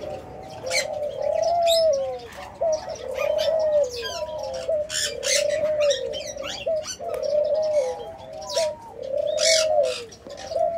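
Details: Orange pearl colour ring-necked dove giving low, mellow rolling coos that arch up and fall, repeated about every two seconds, over sharp high chirps and twitters from other small birds nearby.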